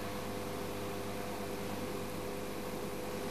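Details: A constant electrical hum with a steady hiss runs throughout, and no animal calls are heard.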